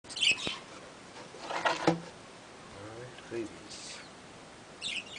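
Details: Budgerigar chicks (Melopsittacus undulatus) giving short scratchy chirps and rasping squeaks in scattered bursts.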